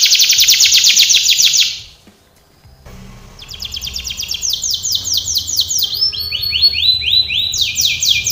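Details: Canary training song opening with a dense rapid trill of high notes, a brief silence, then softer song building into repeated rising whistled syllables in steady tours.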